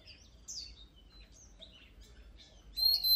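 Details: Oriental magpie-robin with sparse, quiet high whistled notes and short slurs, ending in a sudden loud, pure whistled phrase with chattering.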